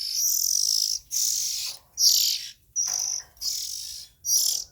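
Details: Young Oriental magpie-robin producing six harsh, sibilant screeching calls, each lasting about half a second to a second, steady and evenly loud, with short quiet gaps.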